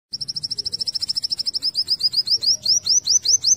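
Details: Eurasian wren song in the tembakan style, recorded as tutoring material for pleci: a rapid run of high, sharp notes that start as a fast even trill, then slow into louder, rising slurred notes about four per second.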